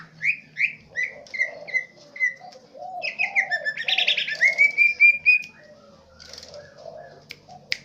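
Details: Aceh Tengah green leafbird delivering swiftlet mimicry: short separate chirps, then a dense rattling burst and a run of evenly spaced, clear whistled notes. Soft low cooing underneath.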